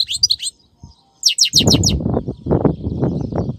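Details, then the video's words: European goldfinch on a Friday in 2018, giving short bursts of high, sharp twittering notes. Loud low rumbling and clattering noise takes over the second half. "تسجيل اليوم الجمعة مقنين نار نار"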